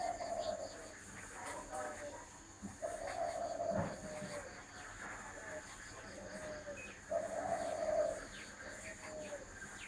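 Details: Spotted dove repeating mellow, low coo phrases, several drawn-out notes alternating with shorter ones across ten seconds, with faint knocks and background hiss.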